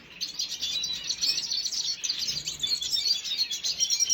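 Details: Steady stream of shrill chirps and fine trills from a red siskin, dated 5 June 2022, with no breaks and a uniform, bright chatter throughout.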